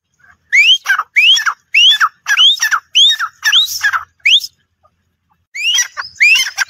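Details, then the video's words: Grey francolin calling: loud, harsh rising notes, each dropping into a lower downslurred tail, about eight given in quick succession over four seconds, then a short pause before two more. "teetar awaz || teetar voice || gray francolin || teetar ki awaaz"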